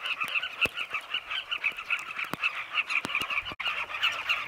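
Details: Zambian colony of Carmine bee-eaters in flight at sunset near tunnel nests in a cliff, gathering insects for their chicks; busy, rapidly repeated rolling calls from many birds overlap continuously, with occasional sharp ticks.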